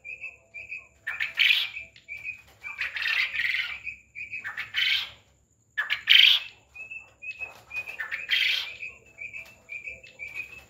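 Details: Farmed quail giving small, clipped chirps in pairs between loud, raspy, crackling squawks, with about five harsh bursts over ten seconds and short silences between.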